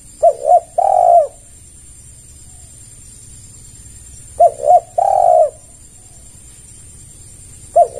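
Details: Lure call of a spotted dove played to attract other doves: repeated low coo phrases about every four seconds, each two clipped notes then a long, smooth, falling coo, over steady faint hiss.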